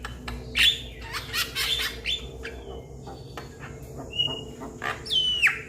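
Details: A young Javan myna calls to its companions with separate whistled notes, some pure and level, one sliding steeply downward, between rough clicks and short harsh squawks.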